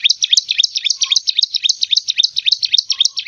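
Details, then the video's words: Bar-winged prinia, the petetan song style, a village champion bird from Tempuran, singing busily: rapid high chirped notes repeated almost four times a second, each sweeping down then up in a fast, even, ringing series. "ciblek gunung gacor istimewa jos gandos"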